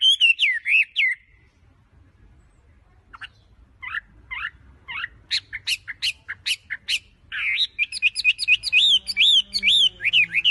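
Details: Tame wambi perched on a hand in full song: opening swooping whistles, a quiet gap, scattered short notes, then a string of sharp high chips, ending in rapid rolling whistled phrases over a faint low hum.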